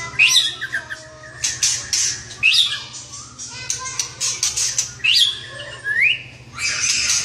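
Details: White-rumped shama singing hard (gacor): loud harsh squawk-like bursts alternating with sharp rising whistled notes, delivered in energetic clusters with short pauses between.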